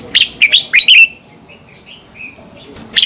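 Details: Red-whiskered bulbul morning song used to train birds, one fast phrase of several sharp, slurred whistled notes, then a quiet stretch with soft distant chirps and a single loud note at the end.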